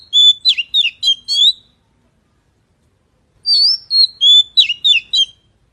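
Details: Magpie gives two matching bursts of five or six quick, clear whistled notes that dip and rise, separated by about two seconds of silence.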